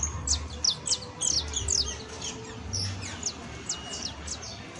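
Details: Canario criollo, a saffron finch, delivering professional song: a run of piercing downward-sweeping notes in quick irregular groups, loudest early, thinning out later, with faint low background noise.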